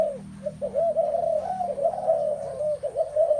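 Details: Spotted doves filling a space with their calls: soft, low, hooded coos that overlap almost continuously, each note rising and falling in quick succession, with a faint steady high-pitched whine in the background.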